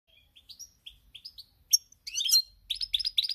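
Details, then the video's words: European goldfinch song, recorded 8 February 2020, a pezzato (pied) goldfinch: short high tinkling chirps and twitters, then dense bursts of liquid trills and buzzy notes in the upper range, quiet between phrases. "GOLDFINCH SONG"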